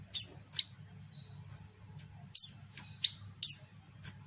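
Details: Female white-eye (pleci) calling, used to lure and provoke males into singing: sharp high chirps that drop steeply in pitch, some with thin trailing notes, in irregular bursts over a steady low hum.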